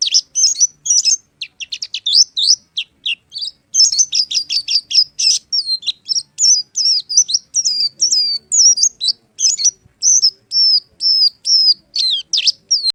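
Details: Oriental white-eye (pleci) pouring out a long, busy twittering song of high, thin notes in rapid bursts, some stretches fast and stuttering, others more spaced whistled slurs.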